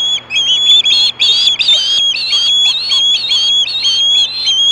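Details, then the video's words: Piercing, slightly buzzy whistled screams from an osprey at Hellgate, 2014, screaming for fish at 4:19 PM, run together in a near-continuous string of about a dozen notes, with a low hum behind. "Screaming for fish"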